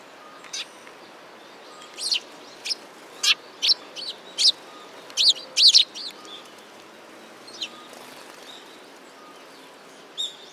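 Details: Sparrows at a shrine on 15 November 2016: bursts of short, sharp high chirps come in irregular clusters, busiest in the middle, over a steady low background hiss.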